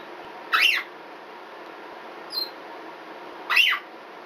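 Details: A twelve-year-old female red-bellied parrot gives the species' characteristic smoke-alarm-like scream: two harsh, rasping screams about three seconds apart, with a brief thin squeak between them, against a quiet indoor hum.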